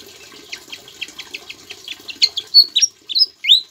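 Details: Javan flycatcher singing actively, with imitations of Ciblek song, used as a tutor for birds such as long-tailed shrike, greater green leafbird, magpie-robin and white-rumped shama; a rapid series of high, thin chirps, then louder sharp whistled slurs and flicks.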